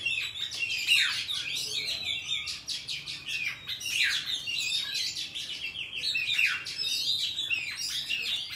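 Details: Oriental magpie-robin singing in the wild-forest style, a recording meant for teaching young birds to sing. The song is a rich, varied run of clear whistles, slurred rising and falling notes and quick twitters, delivered almost without pause.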